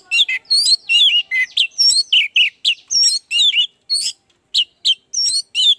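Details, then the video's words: Lure song of an orange-headed thrush, played as therapy for reluctant, quiet caged birds: a dense, unbroken stream of varied warbled and slurred whistles, phrases tumbling together with barely a pause. "Pancingan anis merah, agar cepat ngeplong"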